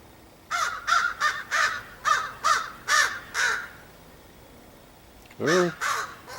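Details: Crow recorded on 30 August 2015, a bird kept close to people, giving a run of eight hoarse, evenly spaced caws over about three seconds, then a pause and two more harsh caws, with a man talking to it nearby.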